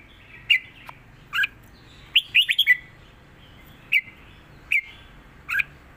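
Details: Red-whiskered bulbul singing southern 'mae bot' style with 'rik' calls; spaced whistled chirps and one quick four-note warble in the middle, clear and close.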